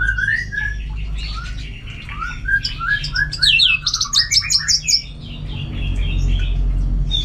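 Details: Orange-headed thrush in full song, a caged contest bird from northern Bali, delivering varied whistled notes that climb into a burst of high, sharp repeated chips midway, then softer, fading phrases, with a steady low hum underneath.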